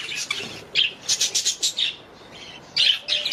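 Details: Budgerigars kept at home give short bursts of high, scratchy chirps and squawks, several quick notes in a row, then a pause and another burst near the end.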